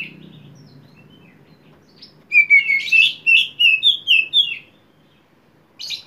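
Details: Oriental magpie-robin, poci type, in full konslet song used to provoke a young bird: a quiet start, then a burst of rapid, bright, varied whistles and chattering notes strung tightly together for over two seconds, ending in a scratchy note.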